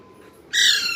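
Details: Parrot chick giving one harsh, buzzy squawk after a brief quiet moment, loud and noisy, lasting about half a second.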